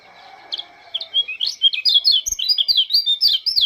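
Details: Oriental white-eye from Lombok greeting the morning dew, singing a fast, high, twittering warble of short rising and falling notes that tumble together without pause; a faint rooster crow sounds at the start.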